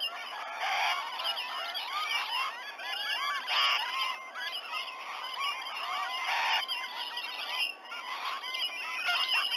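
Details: Many wild rainbow lorikeets flocking to a sea-eagle nesting tree, Sydney Olympic Park, Australia, 19 November 2020, just after 7 a.m., nest camera recording; harsh, honking screeches in a steady overlapping stream, with louder bursts roughly every three seconds.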